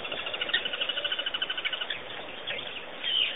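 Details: Birds calling at Pete's Pond, Botswana: a rapid run of evenly spaced chattering pulses, about eight per second, fading after two seconds, then a brief buzzy note at the end amid general twittering.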